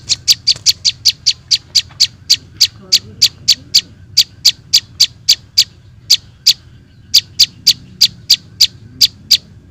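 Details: Prinia (prenjak) chick calls from a bird-luring recording: a long series of loud, high, piercing chirps, quick and uneven in spacing, broken by short pauses, with a low background hum underneath.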